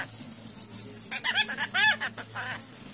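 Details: Pet rainbow lorikeets, newly acquired, mimicking speech: a quick string of short, rising-and-falling nasal syllables clustered mid-clip, then a softer trailing phrase, with a constant low electrical hum behind.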